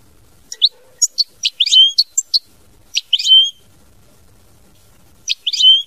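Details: European goldfinch giving scattered high twittering notes and short buzzy slurred phrases, with pauses between groups and a final brief burst; quiet background.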